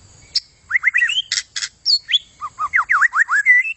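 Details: Lively white-rumped shama song in gacor style: looping upslurred and downslurred whistles, harsh clicking notes, then a fast run of V-shaped whistles ending in a high even note.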